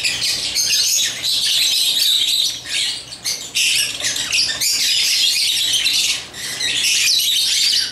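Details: Playing with toys, African lovebirds keep up a loud, shrill, scratchy chatter of quick chirps in runs of one to two seconds with short gaps.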